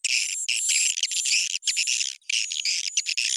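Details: Edible-nest swiftlet lure call, pitch and tempo raised, for swiftlet houses: dense, buzzy, high twittering chatter in rapid bursts, broken by brief gaps, with a thin sustained whistle running through it.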